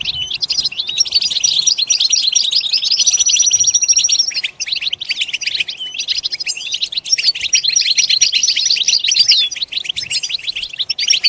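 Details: European goldfinch giving a long, busy twittering song of quick high notes and buzzy rattles, with a drawn-out whistle near the start and a brief pause before the chatter resumes.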